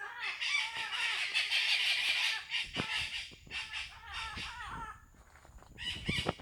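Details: A noisy flock of parrots giving dense, grating, harmonic squawks almost without pause for over two seconds, then more scattered screeches and clicks, with a shrill outburst near the end.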